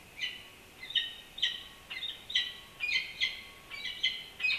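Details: Peregrine falcon nesting atop UC Berkeley's historic Campanile; broad, scratchy calls in an irregular series, some notes doubled, over a quiet background.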